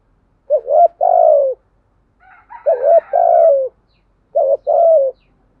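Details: Spotted dove decoy song used to provoke wild doves: three mellow cooing phrases, each a short rising coo followed by a longer, level, slightly falling croon, with a faint higher warble between the first two phrases.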